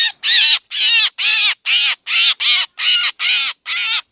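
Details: Black drongo lure sound for trapping birds: eight broad, raspy calls, each lasting about a third of a second, repeated over two per second with short gaps between them.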